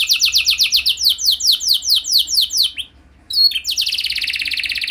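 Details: Canary song played as a lure to get other canaries singing: a run of rapid descending slurred notes, a brief pause, then a dense buzzy high trill.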